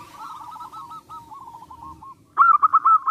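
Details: Zebra dove singing to provoke rivals: a softer, distant-sounding rolling series of coos first, then a pause and a louder, nearer burst of five or six crisp repeated notes.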